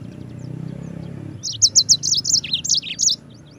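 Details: Mozambik, the yellow-fronted canary, in a tutor recording for training other birds: one brisk phrase of sharp, high chirps in quick succession after a low background hum.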